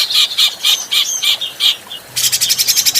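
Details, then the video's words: Grey-cheeked bulbul adult song made as a training recording: a string of rich, rhythmic whistled chirps about four per second, then a quick high rattling trill. "Masteran Burung Cucak Jenggot Paling di Cari Mp3 Jernih"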